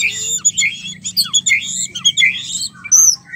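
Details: White-rumped shama mating sounds: dense, excited chattering of high chirps and squeaky notes, closely packed and uneven, over a soft low hum.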